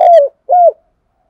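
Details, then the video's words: Spotted dove morning call, used to lure decoy doves: the end of a phrase, a loud drawn, slightly falling coo followed by one shorter arched note, then silence. "Tiếng cu gáy hay nhất, gáy gọi buổi sáng cực đỉnh"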